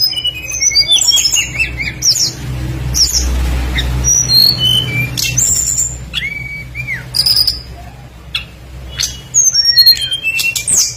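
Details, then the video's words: Lure song of a tledekan bird singing actively with full mimicked phrases. It gives high whistled slurs and quick descending sweeps in separated bursts, with a low rumbling hum throughout and a noisy stretch near the start. "PANCINGAN BURUNG TLEDEKAN PASTOL GACOR FULL ISIAN LANGSUNG IKUT BUNYI"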